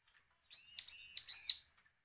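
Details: Bar-winged prinia uttering a threat-filled call, recorded as a lure to make other prinias sing: three harsh, buzzy, nasal notes run together in quick succession over about a second, with a clean quiet background.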